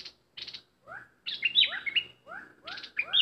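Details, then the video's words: Decoy bulbul in a cage, singing hard: scratchy opening notes, then a tumbling phrase of liquid whistles and several short rising and falling slurs. "Burung merbah lekir bay hoach thom gacor bahanan"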